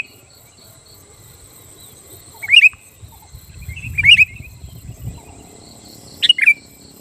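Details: Sooty-headed bulbul singing to provoke rivals into answering: three brief, sharp bubbly phrases spaced about two seconds apart, each a quick downward-sliding flourish, over a steady high hiss and faint low rumble.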